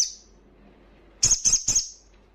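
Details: Crimson sunbird in loud ngalas-style song, used to stir breeding condition and aggression in untrained birds: three sharp, high, clipped notes in quick succession after a faint high note fades out.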